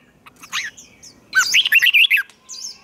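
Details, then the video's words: Red-whiskered bulbul singing competitively, used for training: soft opening chirps, then a loud second-long run of quick, bright warbled notes, followed by a thin whistle. "Chào Mào Hót Đấu"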